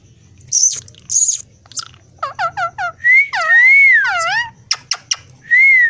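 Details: Sweet-voiced talking parrot mixes short speech-like chirps, a rhythmic series of dipping syllables and two long, level whistles, over a faint low indoor hum.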